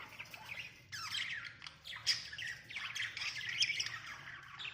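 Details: Breeding budgerigars with chicks chatter in a steady stream of scratchy, high chirps and squawks.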